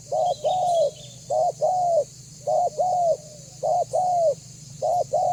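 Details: Spotted dove lure bird cooing steadily, short coo plus long falling note repeated about once a second in a regular rhythm, low hum underneath.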